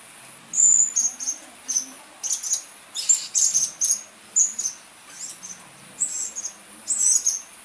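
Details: Blue-crowned hanging parrot calls played as a decoy to draw birds in: a steady series of short, sharp, very high-pitched squeaky chirps, roughly two per second, some doubled.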